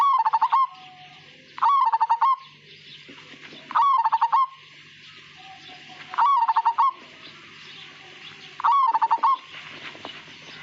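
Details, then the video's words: Native Majapahit-type zebra dove (perkutut) in full song: five phrases of quick, evenly pulsed hollow coos, each opened by a short sliding note, repeated roughly every two and a half seconds against a soft steady background hiss. "Suara Panggilan Burung Perkutut Majapahit Asli Gacor Dan Ngayer"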